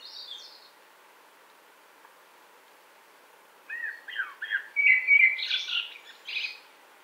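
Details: Common blackbird warbling in a spring wood, 2017: a faint high squeaky phrase at the start, then after a pause a rich run of fluty, slurred notes that climb into shrill twittering at the end.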